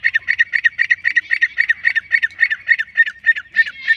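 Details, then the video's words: Female black francolin, known locally as kala teetar: a fast, steady run of harsh, squawky notes repeated about four times a second, each a short burst with a buzzy edge, continuing without pause over a quiet background. "wait milki female sound Azad ghoomne wly teetar fricolian voice"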